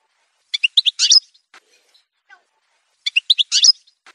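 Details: Two matching short phrases from an Algerian goldfinch of the parva form, each a quick rising cluster of bright tinkling notes, about two and a half seconds apart, with faint soft notes between.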